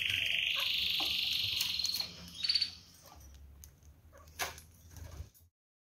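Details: Female budgerigar aggressive toward her newly paired male: a sustained buzzy, grating screech lasting about two seconds, then a short scratchy burst and scattered soft clicks and rustles before silence.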